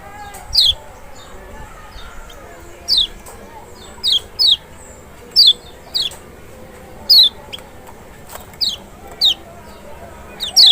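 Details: Lemon-bellied white-eye (Zosterops chloris maxi, Lombok or Sumbawa), song played to provoke a bird that is reluctant to sing: crisp, high, falling whistle notes, singly or doubled, every second or two over low hiss.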